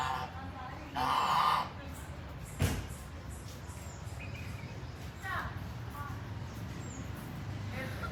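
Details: A goose walking and roaming gives one loud, nasal, harsh honk lasting about half a second, then fainter calls later, over a steady, low traffic-like rumble.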